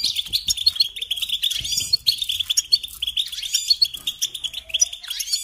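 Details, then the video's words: Goldfinch song, a lively run of liquid twitters, thin whistled pips and buzzy trills, steady throughout with faint low rustling beneath. "Singing Along with Goldfinches"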